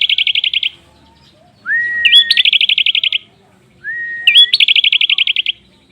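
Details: Prinia song used as a master recording for teaching other cage birds: phrases of a long rising whistle, a quick upturned note and a fast, even trill of high buzzy notes, repeated roughly every two seconds.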